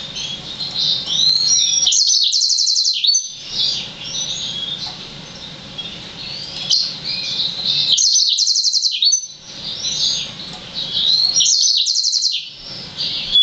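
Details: Yellow-fronted canary crossed with Black-throated canary, an immature six-month-old hybrid, repeating a high warbled phrase that ends in a fast metallic trill, the pattern recurring about every three to four seconds over faint low hum.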